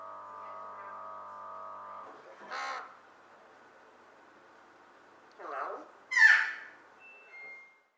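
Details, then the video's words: An adult female talking Eclectus parrot, kept since age two and a half, gives a short speech-like phrase, then a loud, harsh, rasping squawk; her voice has risen slightly over time. A steady droning hum fills the opening seconds. "Talking Eclectus Parrot"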